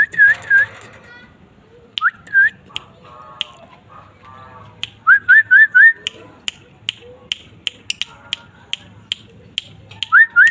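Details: Lively Asian fairy-bluebird song: paired rising whistles, then scattered softer chattering notes and a quick run of four upswept whistled notes. Sharp clicks are interspersed throughout, and another rising whistle sounds at the end.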